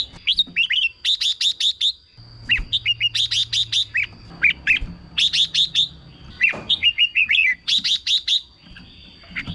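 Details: Red-whiskered bulbul song played to excite caged birds: loud, clear whistled phrases of rapid rising and falling notes, delivered in bursts separated by short pauses, with a steady high electronic tone beneath.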